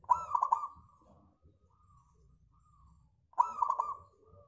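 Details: Local zebra dove, very vocal, its song used as a lure to set other birds singing: two bursts of quick, rolling, staccato cooing notes about three seconds apart, separated by near silence with faint low rumble.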